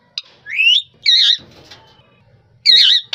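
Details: Harsh, buzzy screeches alternating with a rising whistled note from a rose-ringed parakeet, the notes loud and separated by short silences.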